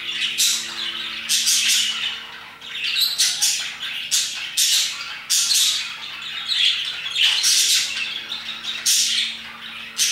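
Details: A long run of parakeet squawking and chirping around 2pm, repeated loud, harsh bursts roughly every second over a steady scratchy chatter.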